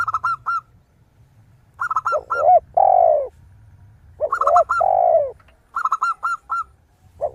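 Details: Perkutut (zebra dove) singing in lively crystal-voiced style, played as a lure for other birds: clusters of rapid ringing hooked notes separated by pauses. Deeper, longer coos of a spotted dove join between the clusters.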